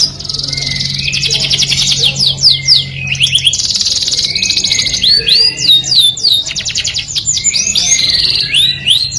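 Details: Canary delivering its melodious courtship song to attract the opposite sex: long rattling rolls of rapidly repeated notes alternating with bright curling whistles, over a faint steady low hum.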